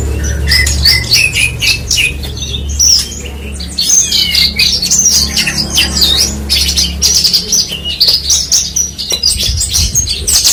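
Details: Long, dense branjangan song: a stream of high chattering notes, buzzy trills and brief whistles tumbling without pause over a constant low hum.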